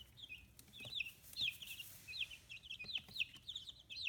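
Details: Fifteen-day-old chicks, growing their feathers, kept on a free-range farm in Kitahiroshima, Hiroshima, peep in quick, high, repeated chirps, several each second, over a soft hiss and faint rustling.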